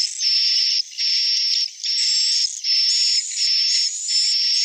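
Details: Edible-nest swiftlet calls: a steady series of buzzy, high chirring notes, each about three-quarters of a second long, repeated roughly six times with short gaps, the low frequencies filtered away.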